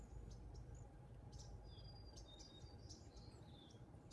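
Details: Cedar waxwings feeding on persimmons in a persimmon tree give thin, very high, hissing whistles, several overlapping in quick succession, over a steady low rumble of background noise.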